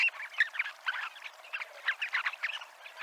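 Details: A flock of Dunlins on the seafront at Abruñeiras, Ría de Noia, Spain, keeps up a busy, overlapping twitter of short, reedy, slightly buzzy notes, several calls per second, with no other sounds standing out.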